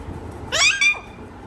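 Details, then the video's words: Parrot in a talking-parrot recording: a single loud, rich harmonic utterance of two linked parts, bright and nasal with a falling tail, over a quiet room background. "Raw parrot talking video talking parrot"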